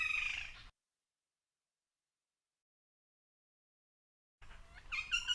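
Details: Woodpecker calls from the Biligiri Rangana Hills, India, where local people call such woodpeckers the death bird or calling bird: two short bursts of harsh, ringing calls, rich in overtones, separated by several seconds of silence.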